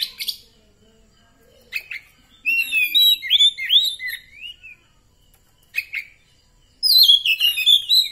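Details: Oriental magpie-robin of the kacer poci type, singing in 'nembak' style after therapy: sharp chip notes, then a long run of varied whistled slurs rising and falling, a pause and a loud burst of tumbling phrases.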